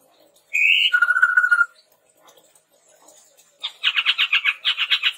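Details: Red-rumped tepus song as a lure and tutor for training birds: a rising whistle into a fast rattling trill, a pause, then a long run of repeated buzzy chattering notes.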